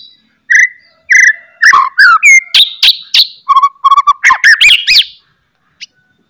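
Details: White-rumped shama pouring out loud song with harsh chatters and sharp whistles, intended to provoke other shamas into singing: rich varied whistled slurs, rasping notes and quick twitters in one continuous outburst, then silence.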